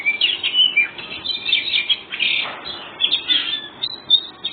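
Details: White-rumped shama performing ngobra-style song to make other birds answer; bright whistled phrases mixed with harsh chattering bursts, pulsing in short groups over steady hiss.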